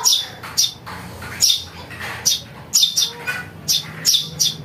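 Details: Chick of a house sparrow giving piercing chirps in pairs, spaced about a second apart, a sound used to lure birds, over faint background noise.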